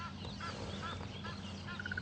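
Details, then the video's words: An Egyptian goose at a dam, near a leopard at sunrise, gives harsh, honking complaints ending in a quick run of five or six even nasal notes, as other birds call excitedly over a low rumble. "there's an Egyptian goose complaining about something down at the dam in the background that you can hear"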